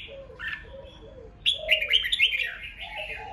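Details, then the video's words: Red-whiskered bulbul contest song meant to rile rival birds: after soft low cooing from another bird, a sudden loud burst of rich, rolling whistled notes sweeping up and down. "Kích chào mào hót đấu hay nhất,bổi nghe là hót theo,khiến bổi ức chế căng lửa"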